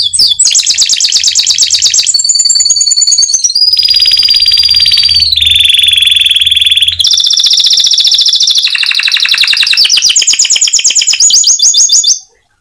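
A canary sings a loud, nonstop run of rapid trills and rolling tours, shifting pitch every second or two between high buzzy rolls and clear whistled notes.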